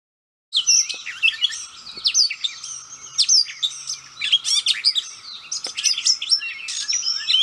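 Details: Gray Catbird singing close by, delivering a rambling, nonstop jumble of squeaky, scratchy and whistled notes, high and varied, over a faint steady background hum.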